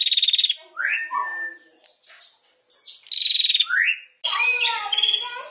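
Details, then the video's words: Female prinia singing in the ngetir style, kept for tutoring other songbirds: rapid buzzy pulsed trills alternate with rising slurred whistles, ending in a jumble of varied harmonic chattering notes. "PRENJAK BETINA GACOR NGETIR PALING DI CARI UNTUK MASTERAN"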